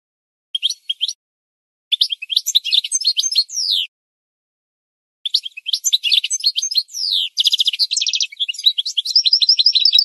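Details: Goldfinch song used to train birds to sing: a short chirp, then two long bursts of fast twittering with descending slurred whistles and buzzy trills. The last passage ends in a rapid, even series of repeated notes.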